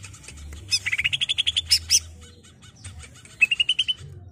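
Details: Greater green leafbird song used to train a captive bird: fast ascending series of repeated chirps, sharp high notes, soft chatter, then another quick rising run of notes, faint hum below.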